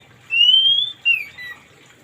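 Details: Orange-headed thrush in the morning, played as therapy for thrushes that won't sing: a long, clear, slightly rising whistle followed by a short drop and a softer falling note.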